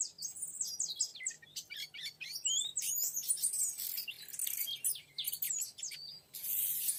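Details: Oriental magpie-robin used to lure a young wild forest male: a dense, loud stream of shrill whistles, sweeps and rapid chips running almost without break, ending in a harsh hiss-like burst.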